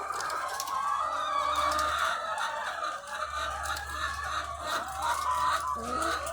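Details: Thousands of laying hens on a farm producing continuous overlapping clucking and occasional rising squawks, with a steady low drone of farm machinery below.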